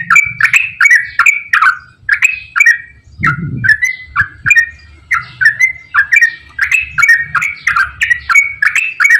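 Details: Yellow-vented bulbul in a long, rapid 'gacor ropel panjang' song used to lure reluctant bulbuls into singing: loud bubbly whistled phrases, falling and rising, repeated roughly twice a second without pause, with a brief low thump near the middle.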